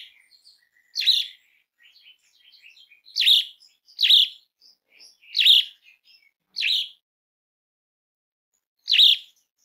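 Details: Asian pied starling calling, played as a lure to make other starlings sing; loud harsh bursts centred high in pitch, repeated at uneven intervals about every one to two seconds, with soft chirps and twitters between them.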